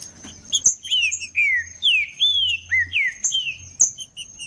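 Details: Wild green-winged saltator in the bush, played to rouse captive birds. It gives a fast series of bright, rich whistles, each sliding down in pitch, with sharp high clicks and a constant faint high whine behind.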